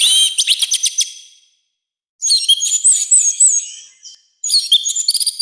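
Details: Orange-headed thrush in full, harsh song, kept for training and stimulating birds: three bursts of fast, bright, tumbling notes, each fading before a short gap.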